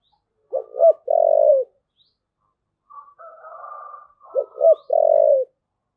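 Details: Spotted dove giving two thúc gù coo phrases, two short notes and a sustained low hoot each, with a softer wavering murmur between them.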